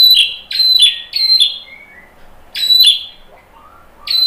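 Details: White-rumped shama singing as a lure to get other shamas to answer: bright high whistled notes given in quick clusters, a few lower slurred tones, then a pause before another loud burst.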